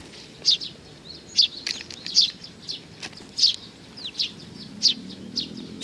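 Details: Several sparrows arriving to be fed, recorded 15 May 2019: bright short chirps repeated roughly every half to one second, some louder and sharper, with faint wingbeat-like broadband ticks and a soft low rumble underneath.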